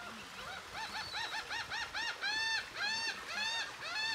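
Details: Scarlet ibis at the National Aviary of Colombia near Cartagena, birds nest-building and one sitting on a nest, gives nasal, arched honking notes, quick and uneven at first, then slower, longer drawn-out honks about twice a second.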